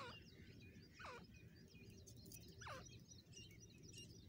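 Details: Wild female grey francolin from Pakistan giving a few sharp downward-sweeping whistled notes spaced over a second apart, amid a chorus of small birds chirping and a steady low background hum.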